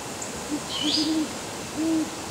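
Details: Great horned owls calling to each other in heavy twilight on November 22, 2010: deep, soft hoots, a single hoot, a drawn-out doubled hoot, then another, over a steady hiss and a brief high chirp.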